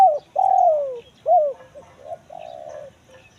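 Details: Spotted dove, kuk 1 mersik call style, recorded as a lure for finding wild birds in the forest: a short note, a long falling coo, a bright clipped hoot, then softer trailing coos.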